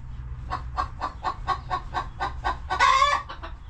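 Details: Quick, evenly spaced soft clucks from coop hens, around four each second, capped by one long, loud, wavering squawk near the end.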